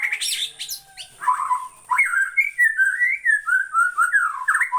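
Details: Bornean white-rumped shama song, loud and varied: sweet whistled phrases that swoop up and down, delivered in a rapid run of distinct notes after a short high warbling start, faint background hiss.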